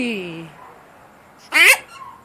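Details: Pet parrot that knows several phrases but mostly chooses to say only 'no': a brief, loud, harmonic vocal burst after a fading whistle-like tone, in a quiet room.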